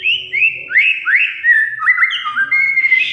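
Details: Oriental magpie-robin (kacer) song used as a lure for a silent bird: a series of bright upslurred whistles, roughly two or three per second, shifting into lower stepped whistled notes.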